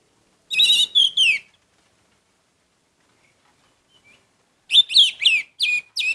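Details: Bursts of sharp, buzzy chirps from an orange-headed thrush in full song, three notes, then a three-second pause, then a second quick cluster of five notes.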